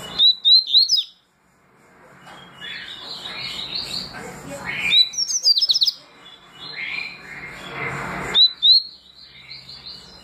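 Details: Double-collared seedeater performing tui tui and deputado song styles: bright upslurred whistles in short runs of two to four, separated by murmuring, hissy passages and a softer warbled phrase.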